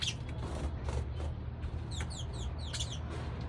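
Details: Sparrow calling in the morning; a quick series of sharp high chirps with falling slurs, clustered in the second half, over a steady low hum.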